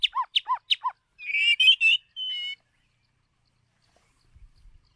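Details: White-rumped shama, a lure bird used to train singing, gives three looping whistled notes, then a rich warbled phrase and a steady held whistle, followed by silence.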